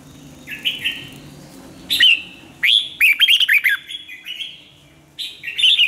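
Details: Red-whiskered bulbul song used for voice training: short whistled phrases, then a loud run of quick, sharp, falling and rising notes, a quieter warble and a fresh burst at the end.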